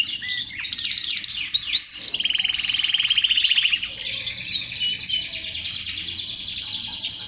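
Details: Male canary song for stimulating males to sing: swooping slurred whistles, then a low buzzy rolled trill for about two seconds, followed by softer high twittering.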